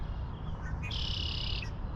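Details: On a post-rain hike by a pond, a red-winged blackbird in a tree gives a couple of short lead-in notes, then its buzzy, rattling trill, a sign of spring, held almost a second, over low wind rumble and footsteps.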